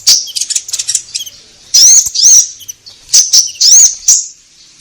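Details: Orange-headed thrush (konin) in full voice, a lure recording meant to prompt caged birds to sing: high, harsh rising notes in short bursts with quick chattering fragments between them, separated by brief pauses.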